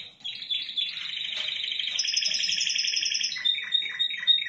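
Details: Spanish Timbrado canary from Indonesia giving a continuous rolling trill of rapid notes about four per second, joined by a sustained high whistle, then choppy repeated chirps.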